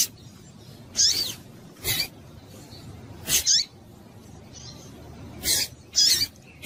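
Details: Female double-collared seedeater calls meant to stimulate males: bright, high squeaks and short buzzy chips at uneven intervals, some in close pairs, over a low steady hiss.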